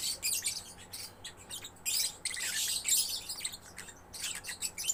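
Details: Lively gacor chatter from a young lovebird, with bursts of harsh, high squeaky notes and buzzy trills separated by short pauses, rising and falling in loudness.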